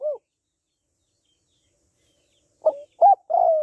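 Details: Spotted dove hen calling to stimulate males, with a short closing coo, over two seconds of silence, then the opening of the next phrase: a brief coo, an upslurred coo and a long burry one.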